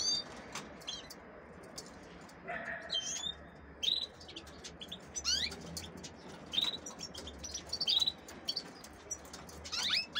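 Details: Captive female canaries being prepared for hybridising with goldfinches give scattered short chirps and quick rising tweets every second or two over ten seconds, some notes paired, against a faint low background hum.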